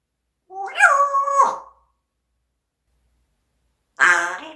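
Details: Captive parrot letting out a shout that rises sharply, holds a steady tone, then drops. After a long silence comes a short, harsh, buzzy burst.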